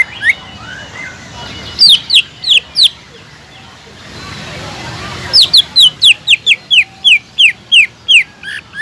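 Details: Greater green leafbird whistling as a lure to make silent leafbirds sing: a few downward-slurred whistles, a hissy gap, then a long steady series of loud falling whistles repeated roughly every third of a second.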